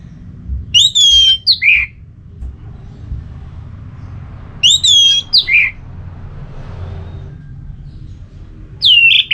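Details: Orange-headed thrush song meant to stimulate another bird to sing: clear phrases opening with a high downslurred whistle followed by a few lower slurred notes, repeated about every four seconds over faint background rumble.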